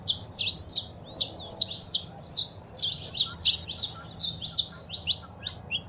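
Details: Saffron finch, female calling and male singing, used to stimulate a pet bird to sing: quick high chirps in tight clusters, then a longer run of sharp slurred notes, thinning out toward the end, soft low background hum.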